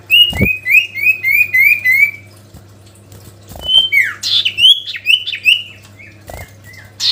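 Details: Sooty-headed bulbul singing to draw a rival: a neat series of about eight repeated rising-falling whistles, then varied slurred notes after a short pause.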